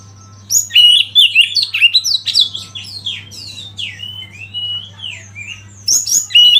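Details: Oriental magpie-robin song, tutoring track with natural river flow: after a quiet start, a long rapid stream of varied whistles, downslurs and sharp chips, ending in loud high notes over a low hum.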